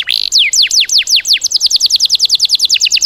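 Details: Fill-in song for training cage birds, 'tembakan' type: a loud opening note, then a fast, even run of steeply falling whistled notes, roughly twenty-five in three seconds, speeding up toward the end.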